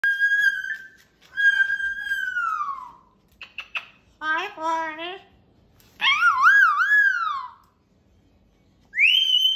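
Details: Pet cockatoo indoors mimicking, giving long clear whistles that slide downward, a stuttered harmonic phrase, and a wavering rising-falling whistle, with quiet pauses between; faint room sounds behind.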